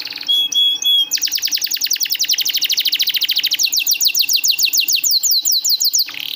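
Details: Hard-working canary singing as master song for reluctant singers: short clipped notes, then a long rapid trill of sharp repeated notes, shifting into slower loud downslurred whistles repeated about three times a second.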